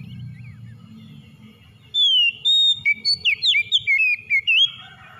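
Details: Song of an Oriental magpie-robin (kacer), meant to coax a stressed bird back into singing. After two seconds of low background hum, a quick string of about ten loud, sweet whistles begins, varied, slurred and jumping in pitch.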